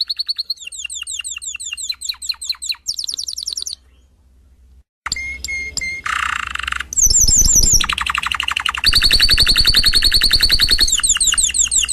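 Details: Canary song: soft quick twittering chips, a pause, clipped whistled notes, a buzzy roll, then loud fast trills and rising and falling twitters that continue steadily to the end.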